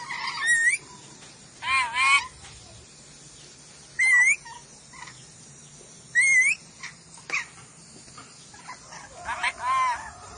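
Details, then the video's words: Ornate lorikeet of Sulawesi, tutor recording: repeated shrill, wavering screeches about every two seconds, alternating with rasping bursts and brief quieter chatter. "MASTERAN BURUNG NURI DORA SULAWESI"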